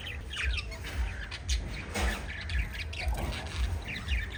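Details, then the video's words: Five lovebirds chattering in rapid, scattered high chirps and tweets, some in quick clusters, against a regular low pulsing thump near two beats per second. "Five Little Lovebirds Chirping Sounds"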